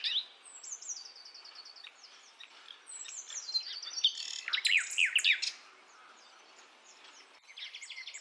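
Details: Wild Javan forest nightingale (sikatan londo), a female calling males, used to lure young birds. Rapid series of short high notes, a burst of loud sweeping chirps midway, then a quieter pause and renewed trills.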